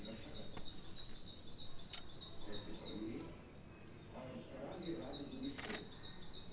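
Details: A young red-whiskered bulbul, an adult-sized fledgling still in juvenile plumage, gives high, scratchy notes about three a second with a short pause. Recorded from a terrace in Sector 15A, Noida, India, on 3 May 2020, during lockdown, with faint murmurs beneath.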